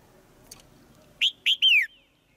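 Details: Caged female white-eye giving two quick high chirps and then a longer descending note, a call used to spur the male into louder singing.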